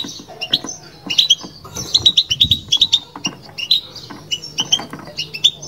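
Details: Kept European goldfinch giving batbata song, a rapid run of sharp chirps and liquid twitters repeated more than once a second, with quieter pauses and soft low knocking.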